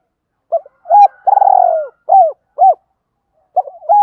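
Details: Spotted dove decoy bird giving loud, clear calling coos used to lure wild doves: short low hoots, then a long, slightly falling, throbbing coo and a few quick rounded notes, on a silent background.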